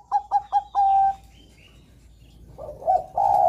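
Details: Zebra dove, a caged Bangkok-type perkutut, singing rapid repeated whistled coos that end in a long held note, then lower rolling coos.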